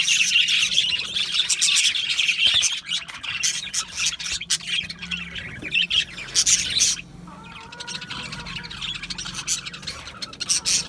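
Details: Loud budgerigar flock chatter, a thick stream of rasping squawks and tweets for seven seconds, then a quieter patch with a soft whistled tone before the chirping picks up again.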